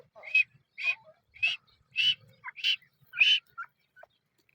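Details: A male Dakhni teetar, a grey francolin, gives a steady run of six loud, scratchy notes roughly every 0.6 seconds, with faint low murmurs between them.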